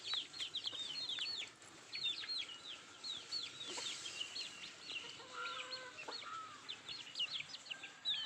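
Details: Feeding nattu kozhi produce rapid strings of thin, high, falling peeps in bursts, with a faint steady tone and a few lower whistled notes midway.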